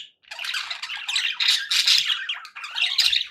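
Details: Happy budgerigars kept as pets, chirruping in a quick, rolling warble of squeaks and rasps that swells and dips over a few seconds.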